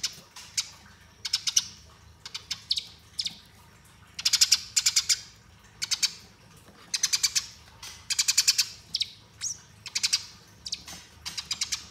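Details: Eurasian tree sparrow fighting song used as a training master: bursts of rapid, high chirping trills in short clusters, loud rattling rolls repeated every second or so with brief gaps, clean background.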